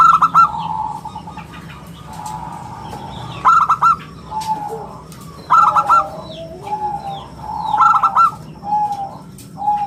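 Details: Local zebra dove singing steadily in a round, crystal-clear voice, used as a lure and song tutor; four bubbling phrases of three or four rapid coos spread over ten seconds, with lower drawn-out notes and light chirps of other birds.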